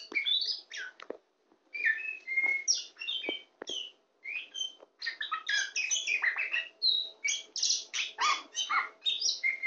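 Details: Very tame champion Oriental magpie-robin (kacer poci) sings on a person's hand: a dense, fast run of chirps, slurred whistles and scratchy notes with brief pauses. A quiet hum runs underneath.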